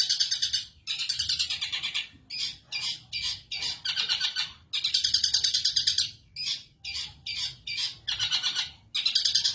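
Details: Caged long-tailed shrike in full song once uncovered, long-phrased delivery: rapid grating chatter and buzzy trills in extended runs, with clipped harsh notes between them and only brief gaps.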